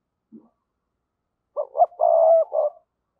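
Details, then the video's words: Spotted dove acting as a decoy, calling to trigger other doves' cooing. After a faint low sound, a single phrase follows: two short hoarse coos, then a long steady coo and a closing note. "Chim Cu Mồi Gáy Gọi/ cu gay kich boi nhanh noi gù"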